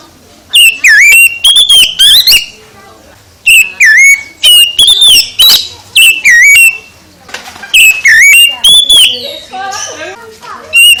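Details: Oriental magpie-robin singing in the morning: loud, clear whistled phrases with sliding and rising notes, given in bursts of about one second separated by short pauses, with some rapid chattering notes between them.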